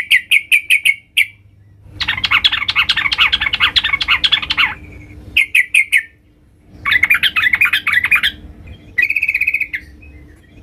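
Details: Female yellow-vented bulbul calling for the male: quick repeated chips open, then long bursts of loud, jumbled chattering several seconds long, separated by short silences, ending in a slurred note.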